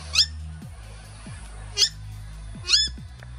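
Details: Australian Purple Swamphens, a family with teen chicks, calling together against a Red-bellied Black Snake on 10 March 2021: three shrill, abrupt squawks spread over three seconds, backed by soft music.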